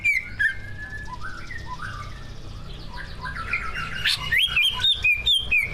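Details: Greater green leafbird, a captive competition songbird, singing whistled slurs that build into a rapid bright run of rising and falling notes, repeated about twice a second toward the end.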